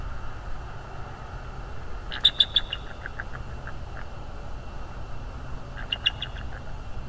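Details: Bald eagle at its nest in the early morning, heard on a live nest camera: two bursts of high, thin staccato chittering notes falling in pitch, about four seconds apart, over a steady low background hum.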